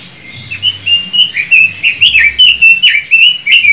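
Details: Pekin robin (Leiothrix lutea), a bird from China once popular in Indonesia around the 1990s and now becoming rare there, singing a rapid, continuous run of clear whistled warbling notes that rise and fall in short back-to-back phrases.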